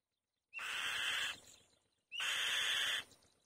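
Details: Two long, raspy, hissing screams from a female white-tailed kite at the nest, each starting with a short rising whistle and lasting nearly a second, about a second and a half apart.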